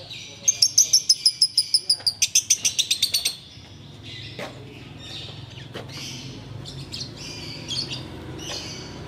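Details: Ngekek-style song from a sooty-headed bulbul in the Ramadan evening before breaking the fast: around three seconds of rapid, evenly spaced high chattering notes, followed by scattered soft chirps and clicks.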